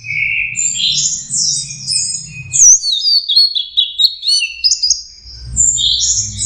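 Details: Young orange-headed thrush practising its song, delivering a steady stream of rich warbling phrases that jump between lower slurred whistles and high squeaky notes, with a faint low rumble at the start and end.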